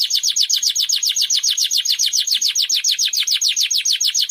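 A Timbrado canary sings a steady, rapid rolling phrase of high, slightly buzzy notes, about seven per second, holding an even pitch throughout.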